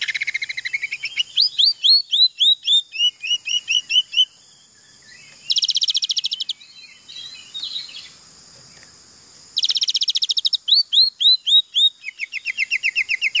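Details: Oriental magpie-robin with canary mimicry in its song: a rising whistle, cascades of falling slurred notes, dense buzzy trills, a quieter stretch with soft background noise, then more rapid repeated notes.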